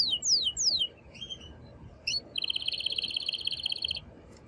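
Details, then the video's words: Male canary in mating song aimed at a female, starting with loud repeated downward-slurred whistles, then a short pause and a rapid, steady buzzing trill. "تغريد قوي جدا كناري هائج لتسميع الفراخ | canary singing"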